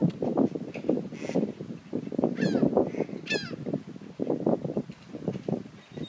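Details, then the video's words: Several ducks give rough, rapid quacks in steady overlapping bursts, while brief sweeping chirps from other birds cut through twice in the middle. "Quacking Ducks"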